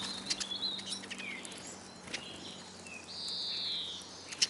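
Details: Several hungry Eurasian siskins at a bird table in Kolmården, Sweden, taken with a Sony A99 camera lying on the ground beneath the feeder: sparse thin high chirps, then one drawn-out wheezy note, with scattered light clicks.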